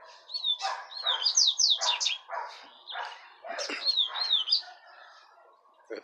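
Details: Double-collared seedeater song in the Tui Tui style, compared with a common-style singer, two birds about one metre apart: rapid whistled rising and falling phrases mixed with buzzy notes, a man talking throughout.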